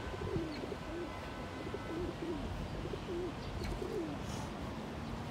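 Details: A pigeon puffs out its neck feathers and dances in courtship, calling out in low rolling coos, about six wavering phrases in five seconds against soft outdoor background noise.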